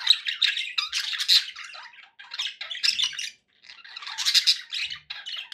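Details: Pet budgies warble in lively bursts of harsh squawks, trills and high squeaks, interrupted by a short silence midway before the chatter resumes.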